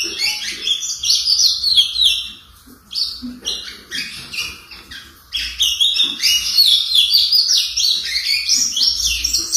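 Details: A young, brown-plumaged blue-black grosbeak, four months old and kept by an owner, giving its first song notes: rambling high warbled phrases with sliding, chirpy notes, a pause near the third second, then a denser run of twittering.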